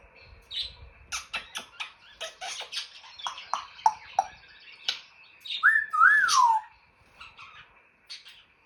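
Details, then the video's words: Captive African grey parrot clicking and popping in a quick irregular run of sharp dry ticks, about three per second. A wavering whistled squeal that rises and falls follows, then softer chatter. The bird also imitates electronic sounds. "the African Grey and his funny sounds"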